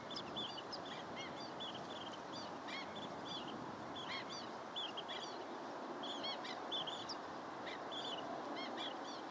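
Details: High, short peeping notes from long-billed dowitchers come in bursts and doublets, closely packed, with brief gaps between clusters, above steady low noise.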